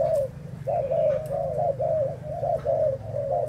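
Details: Spotted dove of Thai origin, dated 11 August 2018, opening with one coo, a short silence, then a smooth run of gently rising-and-falling hoots.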